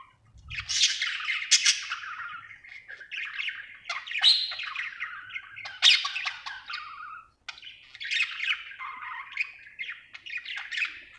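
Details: Happy budgie in long runs of grating warbled chatter and squawky notes, a short pause after seven seconds before the chattering resumes.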